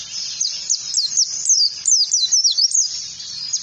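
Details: Ngalas-teaching song of an oriental white-eye: an energetic, continuous chatter of high whistled notes, each sliding downward, delivered rapidly and irregularly over a soft low background rumble.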